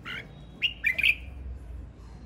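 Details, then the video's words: A male red-whiskered bulbul sings a quick, loud, warbled phrase of several linked whistles that slide and bubble over half a second, preceded by a single softer note. "Tiếng chim chào mào trống hót"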